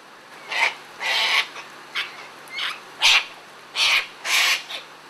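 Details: Sulphur-crested cockatoos while feeding, a series of loud raspy screeches, each about half a second, repeated roughly every half to one second, harsh and broadband.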